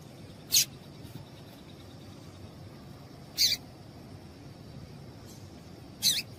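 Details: Female double-collared seedeater calling to excite a male: three short, sharp, very high chirps spaced about three seconds apart, each a quick descending note, over a steady thin high-pitched hum and faint low background rumble.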